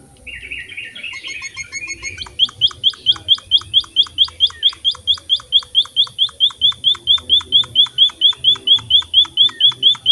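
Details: Emprit (Pipit finch) singing to prompt other birds: a brief jumble of mixed twittering and buzzy notes opens, then settles into a rhythmic string of loud, high, down-flicking chips about twice a second.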